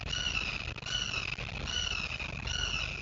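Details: Fledgling Red-shouldered Hawks, newly out of the nest, give drawn-out, slightly falling scream-like calls, about four in three seconds, over a low rumbling background.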